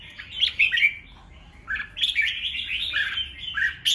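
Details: Red-whiskered bulbul in combative song used to stir rival birds, giving a quick burst of sharp chirps, a short quiet spell, then a longer run of rolling whistled notes.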